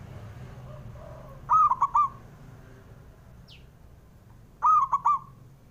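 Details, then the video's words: Male zebra dove call used to get reluctant doves singing: two crisp, trilling coo phrases roughly three seconds apart, with a faint lower coo early on. "JENIS SUARANYA🔊 PALING BANYAK DI CARI UNTUK PENDOBRAK PERKUTUT MALAS BUNYI"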